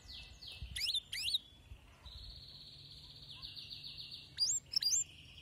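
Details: Male canary in excited song, heard more faintly over low background hum: a few sweeping whistled notes, a long even trill, then more quick upswept whistles.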